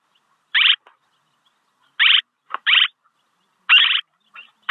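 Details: Swallow calling, a recording meant for luring: harsh, buzzy chirps spaced irregularly, about five in under five seconds, with a few fainter notes between them and silence otherwise.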